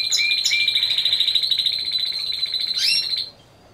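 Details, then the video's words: Timbrado Español canary song at a judged competition, team category of four birds, November 2015; a sustained rapid metallic trill running about three seconds, ending in a brief rising flourish, then quiet. "Διαγωνισμός - Έκθεση Καναρινιών Φωνής Timbrado Español"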